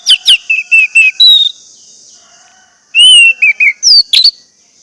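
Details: Orange-headed thrush lure song for quiet birds: a rapid string of short whistled notes, a pause, then a louder phrase of pure falling whistles ending with sharp high flicks, over a steady high hiss.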